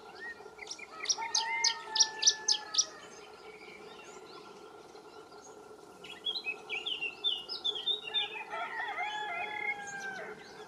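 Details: Canary Islands chiffchaff singing at Valleseco, Gran Canaria, in May 2022: a quick phrase of sharp, repeated high notes, a pause, then a second jumbled, twittering phrase, over steady low background hum.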